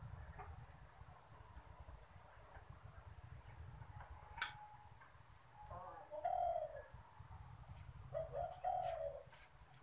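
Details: Spotted dove kept as a cage bird, cooing when strangers come near; two low, mellow coo phrases, one about six seconds in and another near eight seconds, each a slightly wavering hoot, over steady low background noise and faint clicks.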